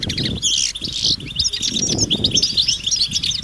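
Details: Flock of European goldfinches in nature giving mating and readiness calls that get males singing: a brief buzzy burst followed by busy high twittering, over a low murmur of background noise.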